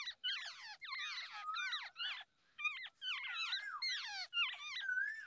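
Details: Wild babbler in Asia feeding and cleaning up after its chicks at the nest; dense bursts of squeaky, wavering chirps sliding between high and mid pitch, several overlapping callers, in rapid clusters with brief pauses.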